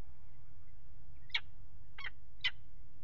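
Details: On the nest ledge of a water tower nest box in Axel, Netherlands, peregrine falcons mate, 5 February 2018: three short harsh calls roughly half a second apart over a low hum.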